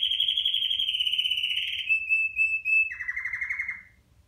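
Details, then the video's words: Song of a red factor canary, played to tutor young birds: a high rapid rolling trill slowly falling in pitch, a few clear sliding whistles, then a lower buzzy trill that drops away and fades. "تغريد كناري لتعليم الفراخ على الغناء"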